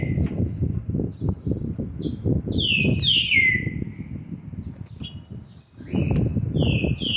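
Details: Green-winged saltator youngster, seven months and twenty days, recorded 13 November 2020: a series of sweet whistled notes building to a long downward slur, a pause, then more phrases; rumbling noise throughout.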